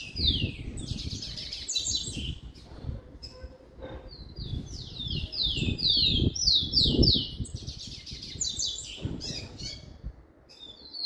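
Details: Rufous-collared sparrow (tico-tico) in a cage, warming up in the "Jesus meu Deus" song style: several phrases of high descending whistled notes and fast rattling trills, with short pauses between them, over a steady low rumble.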